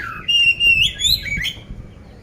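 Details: Caged oriental magpie-robin from Magelang, Central Java, Indonesia, kept as a competition songbird in loud song ready for contests; a slurred whistle sweeps up into a long sustained whistled note, followed by quick rising and falling twittered phrases.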